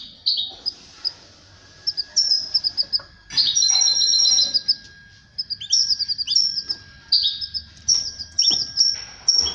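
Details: Canary singing while mating with its female: bursts of high, bright trilled phrases and quick chirps separated by short pauses, with a faint steady tone underneath.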